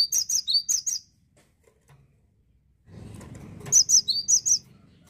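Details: Cinereous tit from Indonesia, said to be rarely found in gardens now: five quick, high, bright notes, a pause filled with soft rustling background noise, then about six more ringing chirps.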